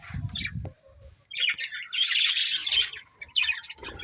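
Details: Pet budgerigars of a breeding pair: low rustling at the start, then a loud burst of high, grating chatter followed by quick chirps.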